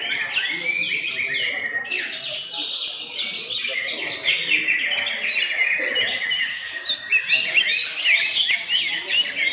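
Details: Several caged green leafbirds sing against each other at an Indonesian songbird competition, session 15: a long dense run of rapid chattering notes and sharp whistled slurs, voices of the crowd faint in the background.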